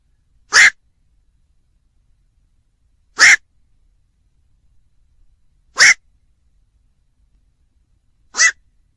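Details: Evenly paced black-crowned night heron croaks, four hoarse barking notes repeated about every two and a half seconds against a silent background.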